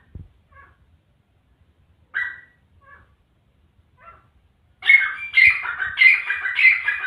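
Grey francolin giving a loud, harsh run of repeated ringing notes after a few quieter, scattered calls.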